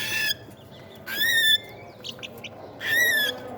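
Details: Cockatiel chicks at meal time, kept as pets: two loud harsh rasping calls with a buzzy upper band, about two seconds apart, over steady household background hiss.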